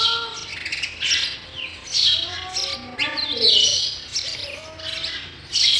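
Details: Sparrow young in a nest being fed, a run of scratchy high chirps in pulses, with some lower drawn-out tonal notes and a faint background hum.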